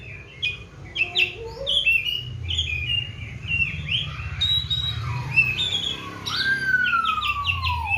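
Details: Kept Oriental magpie-robin, fed seven crickets and bathed morning and evening, singing varied chirps, whistles and quick trilled phrases, including a long smooth whistle sliding steadily downward, over soft low rumble.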